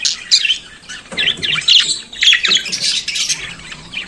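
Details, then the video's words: Morning singing of a pet budgerigar, with dense, overlapping high chatter and scratchy squawks flowing without pause through the whole stretch. "Periquito Australiano Cantando pela Manhã"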